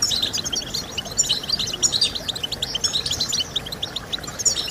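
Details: Rapid, high twittering song of a European goldfinch, used to motivate singing: crowded bright chirps and short buzzy trills that rise and fall in quick bursts without pause.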